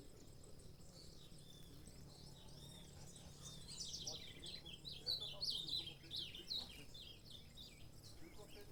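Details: Canário-da-terra, the saffron finch, gives a quiet start of faint high notes, then a louder run of sharp chirps and short trills in the middle before easing off; low background hum throughout.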